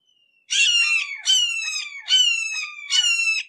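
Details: Four nasal, run-together calls from a close red-shouldered hawk, each starting with a strong burst and trailing off lower, delivered with little pause between them.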